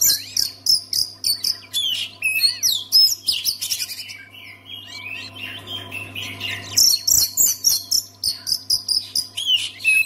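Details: Oriental magpie-robin song for encouraging other magpie-robins to sing: a long run of rapid, loud chirps, whistles and buzzy trills, a quieter stretch in the middle, then renewed energetic bursts, over a faint steady hum.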